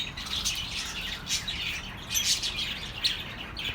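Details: Calming bird chatter for lonely pet birds: a busy mix of bright chirps and twittering, peaking in short louder bursts.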